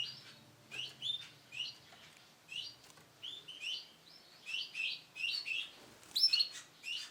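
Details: Sunkist-coloured male canary producing quick runs of high chirping notes, closer together toward the end, with faint rustling in the background.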